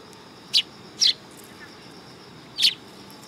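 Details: Several sparrows gathering on a raised platform at a Tenmangu shrine, September 2022; three crisp, high, clipped chirps, the first two close together and the last after a pause, over a quiet hiss.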